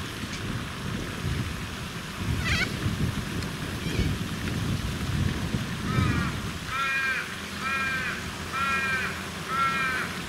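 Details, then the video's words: Raven calling in Western Australia alongside corellas: a run of four to five nasal, wavering harmonic notes in the second half, preceded by a brief higher call, over heavy low rumbling noise. "Raven (with corellas)"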